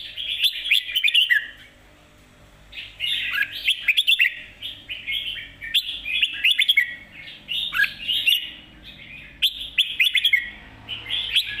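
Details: Red-whiskered bulbul pouring out a dense, fast jumble of bright whistles and warbles in long bursts separated by short pauses, in a lively master-song style.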